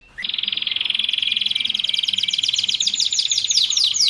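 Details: Canary song recorded for training and luring canaries, sung nonstop in a frenzied style: after a brief silence, a rapid, high rolling trill starts abruptly and runs evenly to the end, growing brighter and stronger.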